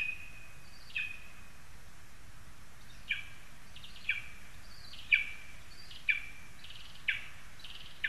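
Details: Lesser spotted eagle in a spruce, Zemgale, Latvia, August 2021. A fairly faint series of about eight high, sharp yelps, spaced about a second apart, each falling quickly in pitch, over a soft hiss and low rumble.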